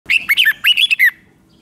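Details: Red-whiskered bulbul from Thailand singing a five-syllable doubled song: one quick phrase of about six bright, warbled, bouncing notes, some rising and some falling, ending with a slurred downward note.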